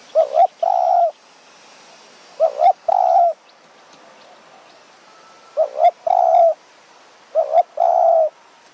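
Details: Spotted dove lured by a decoy in mountain forest near Kanchanaburi, Thailand, at evening. Four phrases, each a quick double coo then a longer even coo, repeated about every two to three seconds.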